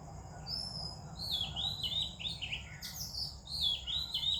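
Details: Morning song of an Oriental magpie-robin among other singing birds: a rapid series of bright, high whistled phrases with swooping, falling notes, one sharp upward-flicked note near the end, and soft low background hum.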